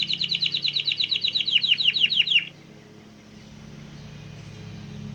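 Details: Canary song pulling in dozens of canaries, goldfinches and other wild birds; a quick run of down-slurred chirps lasting over two seconds, then near silence with faint background hum.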